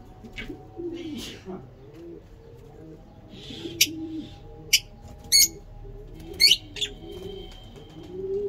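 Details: Lovebirds of several mutations from a breeding line, giving sharp, shrill high chirps in irregular bursts of one to three notes, over steady low, rolling cooing notes repeated through the background and a faint constant hum.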